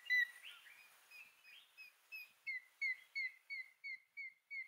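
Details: African grey hornbill in Kruger National Park giving a series of thin, piping whistles, slightly downslurred, that settle into an even beat of about three notes per second.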